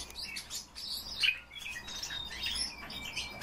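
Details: Pet common starling singing live indoors for its keeper: a jumble of chirps, squeaky notes and thin sustained whistles, with quiet room noise beneath.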